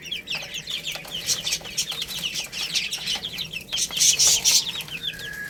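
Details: Chicks eating rice keep up a shrill, overlapping peeping, growing louder and more piercing near the end, with tapping clicks throughout.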